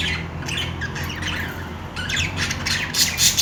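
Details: Budgerigars busy at play produce rapid, buzzy chatter and high squawking chirps, rising in intensity toward the end, with a soft low hum behind.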